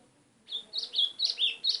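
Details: Rapid bright chips from a white-throated seedeater calling a lot: five quick high notes, some doubled with an upward flick, tumbling closely after one another in under one and a half seconds.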